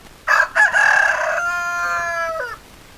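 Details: Rooster crowing loudly: two short rough opening bursts, then a long, strong harmonic note held for over a second before it slides downward at the end.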